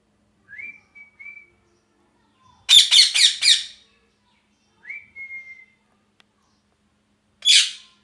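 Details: Parrot calling: two short level whistles, then a burst of rapid harsh screeches, another drawn-out whistle slurring downward, and a final lone grating squawk.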